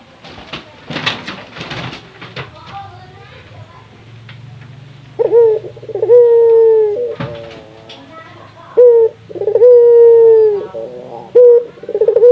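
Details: Local Indonesian Barbary dove calling to stimulate other doves to call. Several seconds of rustling and knocks come first, then loud low cooing phrases, each a steady hum with a brief trill, repeated about every two seconds.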